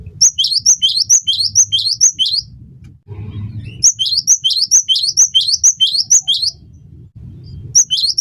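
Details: Cinereous tit (gelatik batu), singing vigorously in a recording used to teach and prompt songbirds: strings of two-note phrases, high then dropping lower, repeated rapidly in two long bursts, soft low hum beneath.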